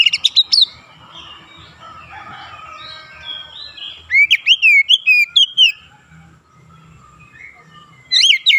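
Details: Oriental magpie-robin performing the ngerol and nembak style of song. Loud notes open the recording, followed by long soft warbling, then a burst of sharp upward whistles and a final loud phrase at the end.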